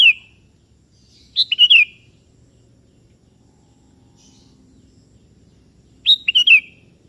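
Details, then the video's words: Sooty-headed bulbul of the 'kebo' kind calling a rival that answers back: a brief whistled tail, then two rich bubbly phrases about four and a half seconds apart, over a faint low rumble. "Suara Merdu Burung Kutilang KEBO Gacor Memanggil Lawan Ikutan Bunyi"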